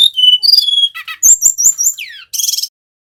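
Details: Singing male brown-chested jungle flycatcher, a local Bali bird, used as a lure to get other birds singing. Level high whistles, then sharp clicks, fast sliding notes, a falling whistle and a final buzzy burst.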